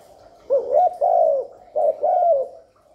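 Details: Spotted dove gáy gù, cooing to draw wild doves and excite newly kept birds; two phrases, each a brief rising coo followed by a longer, smooth, gently falling coo.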